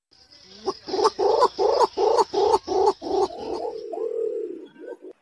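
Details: Green imperial pigeon call used to lure birds closer: a series of gruff, pulsing notes repeated quickly and evenly, giving way to a long low moan and a brief final note, with a steady faint whine in the background.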